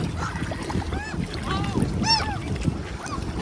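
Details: Ducks being handfed on a windy June day at Tveitevannet in Bergen, Norway; a few loud arched, harmonic-rich calls stand out, the strongest near the middle, over steady low wind rumble and faint background voices.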